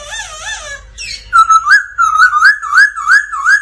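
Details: A captive black laughingthrush (Melanocichla lugubris) sings a wavering, warbled whistle, then a fast run of clear, upslurred whistled notes, about three per second, with no other sounds.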